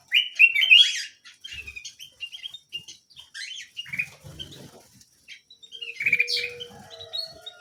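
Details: Small canary in lively full song; quick warbled trills and chirps in bursts, with soft rustling and tapping in between.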